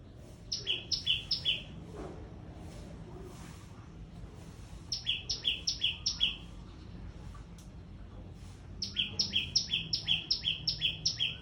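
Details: Small bird calling loudly in bursts: three runs of sharp high notes, each stepping down to a lower note, repeated rapidly about twice a second, separated by pauses with faint rustling and low background noise.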